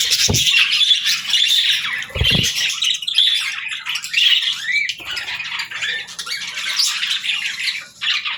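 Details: Pet parrot starting its day in the morning: dense, continuous high chirping and scratchy squawks, with brief low thumps near the start.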